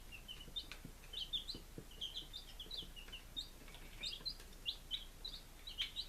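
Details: Chicks on day five, Lunenburg, Massachusetts, July 23, 2017, utter thin, high peeps, some rising, some falling, in irregular bursts across the whole stretch, over quiet background.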